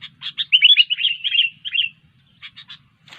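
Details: Sooty-headed bulbul singing actively: a burst of quick chattering, warbled notes around one second long, followed by a few short separate chips and a low faint rumble underneath.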